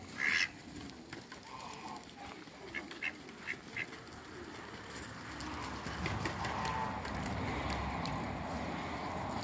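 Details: Two male and one female Pekin ducks meeting each other at a waterbird farm; a short run of brief nasal quacks near the middle, with a louder burst at the start, over steady low rumbling background noise.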